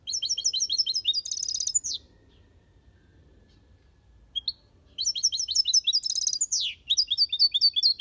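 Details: European goldfinch kept in an aviary, singing the Malaga copy style: bursts of fast, bright tinkling notes and buzzy trills, two phrases separated by about three seconds of quiet, with a single short note between them.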